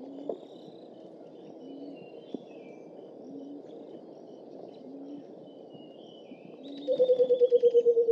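A White-browed coucal ends with a quick, hollow, bubbling run of about ten low hoots, slightly falling. Before it, faint low hoots and thin distant bird notes over background hum.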